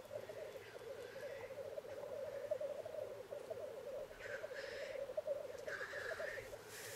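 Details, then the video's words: Black grouse males courting on a lek, with fights and mating, keep up a steady, low, dove-like bubbling chorus; harsh hissing sneezes burst out twice, near the fourth and sixth seconds. "corteggiamenti accoppiamento dei galli forcelli in arena"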